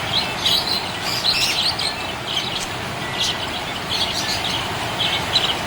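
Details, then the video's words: A happy budgie chirps steadily, its rapid high tweets clustered in short runs with gaps, while a continuous hiss fills the background. "Happy budgie chirping sound"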